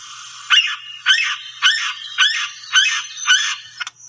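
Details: Yellow-bellied Sapsucker scream call: six slurred, squealing notes, each arching down and back up, given at a steady pace of about two per second, followed by a short faint note at the end.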